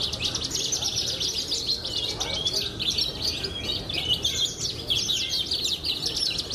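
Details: A captive contest-champion Horsfield's bush lark with pied plumage pours out a continuous, high, twittering song of rapid chirps and trills, with faint background voices.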